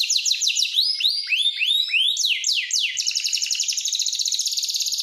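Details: Canary song used for training: rapid sweeping trills and rolling tours that shift from slurred downward notes into a fast, even buzzing trill, sung clearly and loudly with no other sounds.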